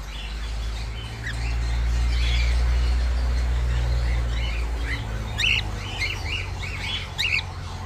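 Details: Saddle-back pied white-face cockatiel, a colour mutation, giving short squawking chirps mostly in the second half, rising and falling notes repeated several times a second over strong low rumbling background noise.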